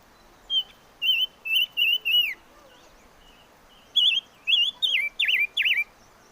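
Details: Five-coloured bird singing two strophes. The first has five evenly spaced, clear whistled notes. After a pause comes a second run of five louder, more sharply twisting whistles. Light background hiss.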